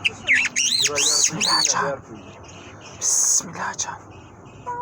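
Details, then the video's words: Mashhadi lark singing: bright, sweeping whistled notes that arch up and fall back, delivered in quick bursts with short pauses, then a second brief burst of high rapid notes after a gap, over a low background hiss. "Mashhadi lark singing مشہدی جل"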